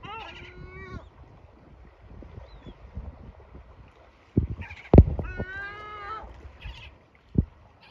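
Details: A family of yellow-legged gulls (Larus michahellis): the male arrives, feeds the chicks, then screams at them with harsh, nasal, harmonic calls (one long cry, then a rapid series) until they hide, with knocks and thumps between. Gull.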